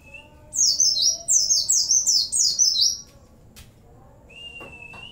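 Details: Vigorously singing Oriental white-eye (pleci) with cililin, bren and cigun song fills: about two seconds of rapid high zigzagging chirps in quick succession, followed by a drawn-out thin rising whistle and a sharp click.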